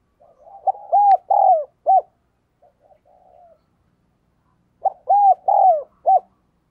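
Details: Caged decoy spotted dove calling vigorously to lure wild doves: soft low murmuring notes build into three or four loud, rounded, arched coos, then a pause and another matching phrase near the end; quiet indoor setting.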